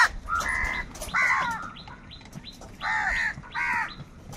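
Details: Crows fighting for food, calling in anger: loud, harsh, nasal caws come in short bursts, four strong ones spaced roughly a second apart, with quieter clipped calls between them over a low rumbling background.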